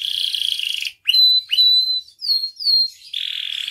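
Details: Canary, gacor with full isian, for masteran and pancingan: a dense buzzy trill, then sharp upswept whistles and downslurred whistled notes spaced about half a second apart, closing with another buzzy roll.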